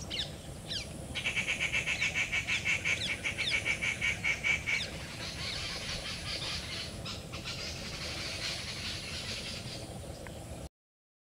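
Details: Cotton pygmy goose, also called cotton teal, a small perching duck: a rapid run of clipped, nasal, repeated notes for about four seconds, then fainter chatter over a steady hum of background noise.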